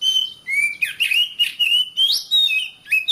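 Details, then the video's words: Oriental magpie-robin song meant to train caged birds to sing: varied clear whistles, sliding notes rising and falling, with short buzzy inserts, delivered continuously. "Suara Kacer, masteran suara kacer biar rajin bunyi!"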